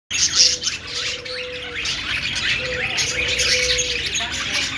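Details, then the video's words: Several budgies making happy sounds and chirping to each other: dense, overlapping warbled chirps and squeaky twitters, with drawn-out low steady tones sounding twice, the second time long and level. "Budgie birds sounds | love birds sounds |parakeet chirping noises |Australian parrot singing"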